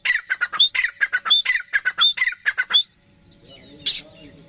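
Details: Pet grey francolin, a full-size Dakhni teetar, calling loudly in a fast series of harsh, ringing notes, about fourteen in three seconds, some with a high whistled edge. Quiet rustling and one brief squeak follow.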